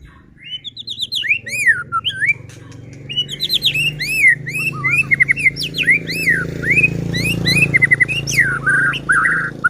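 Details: White-rumped shama singing as a lure to set off other shamas: high, arching whistled notes in rapid varied series over a steady low hum of background noise.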